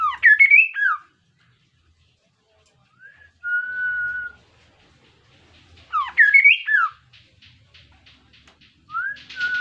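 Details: Energetic kaso-kaso song, used to prompt other birds to sing: twisting slurred whistle phrases repeated about every six seconds, with plain held whistles and soft ticking notes between them.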